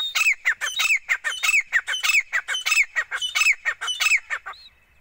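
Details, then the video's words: Female desi teeter, the grey francolin, hand-trained and calling. Scratchy, rising notes are strung into repeated three-note phrases at an even rhythm, then fade out at the end. "teeter awaz | piyari awaz | desi teeter ki boli | gora teeter | hath ki training | calling"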